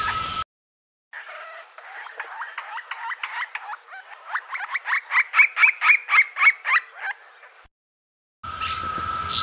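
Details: Green-barred woodpecker (Picapalos Real), a South American woodpecker that feeds on insects, ants and larvae: a rapid series of short repeated notes, starting soft and growing louder and slightly higher, about four per second, then breaking off.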